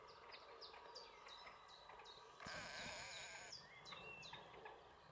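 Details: Great Crested Grebe at Hraški mlaki ponds on 27 March 2022 gives a loud, harsh, nasal braying call lasting about a second, over a steady chorus of thin, high descending whistles from other birds.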